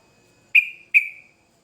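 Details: Sooty-headed bulbul in a vigorous lure recording: two clear, piercing whistles spaced under half a second apart, each gliding slightly downward and trailing off softly.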